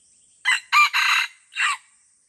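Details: Red junglefowl in a bloody fight deep in the Lamteuba forest, Aceh, crowing loudly in four sharp harsh pulses over under a second and a half, with a gap before the last note.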